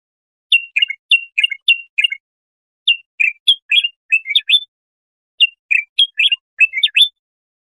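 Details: A singing bulbul, used to tutor young goldfinches or hybrids, repeats a short phrase of two or three whistled notes in three groups, with clear silences between the groups.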